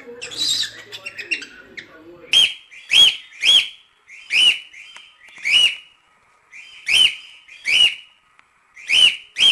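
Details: Cockatiel singing naturally, meant for training chicks: after a brief chattering start, loud sharp whistled notes with a bent, slightly rising contour repeat about every half second, fairly evenly spaced.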